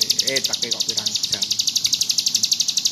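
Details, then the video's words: Ciblek gunung (bar-winged prinia) delivering a steady high buzzy trill in ngebrem style, notes pulsing rapidly and evenly. A human voice speaks briefly underneath at the start. "Burung ciblek gunung gacor ngebrem"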